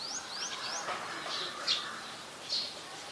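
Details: Adult chestnut-headed bee-eater in Ubon Ratchathani, Thailand, on 13 February 2021. Three quick high upslurred chirps come in a rapid run, followed by a few louder, brighter call notes over a steady hiss of background noise.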